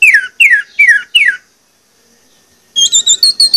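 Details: Orange-headed thrush lure song: four loud descending whistled slurs in quick succession, a pause, then a series of high, thin, repeated notes.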